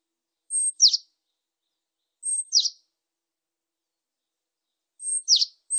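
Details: Japanese tit giving a thin, very high note followed at once by a sharply descending note. The pair repeats roughly every one and a half to two and a half seconds against silence.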